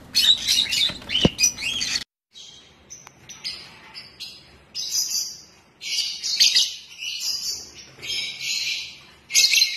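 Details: Rosella among assorted colour mutations, giving bursts of harsh, high chirps and short squawks, with gaps of near silence between clustered calls.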